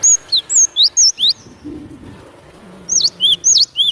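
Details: Lure song of the cinereous tit for bird trapping, quick ringing whistles in high-low pairs, a burst of six notes, a pause, then another run of paired whistles.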